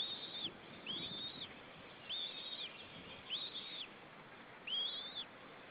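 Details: A single White-tailed Eagle chick in its nest in Estonia, 25 April 2013: five thin, high whistled calls, each rising then bending down, spaced about once a second over a steady background hiss.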